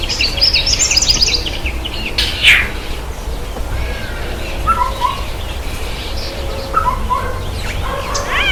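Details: White-bellied sunbird, whose males are noisy and call from treetops, taking a bath and giving high, thin twittering chirps and quick downslurred notes in scattered bursts over a steady low background rumble.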